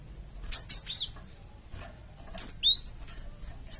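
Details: Gelatik batu (cinereous tit) calling as a lure to draw replies from other birds: short clusters of two or three piercing, high whistled notes, with quiet gaps between phrases.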